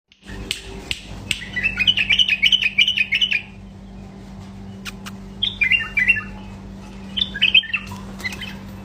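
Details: Male bulbul in strong song: a rapid run of bright, fluty warbled notes lasting about two seconds, then two shorter warbling phrases after a pause. Sharp clicks and a steady low electrical hum run underneath.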